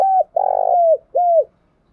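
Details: Well-trained decoy spotted dove cooing loudly: a level coo that drops at the end, a long buzzing trilled coo sliding downward, then a curved falling final note, in a quiet setting.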